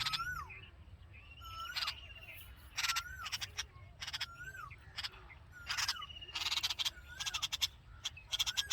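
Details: Red-vented bulbul nestlings in the nest give bursts of harsh, raspy begging calls when hungry. Clear whistled slurs rise and fall between them, likely from the mother, who is at the nest.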